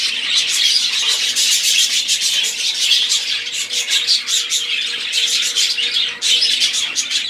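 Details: Group song of budgerigars, a busy, unbroken babble of rapid high chirps and rasping notes, with clicks and trills layered over one another for the whole stretch.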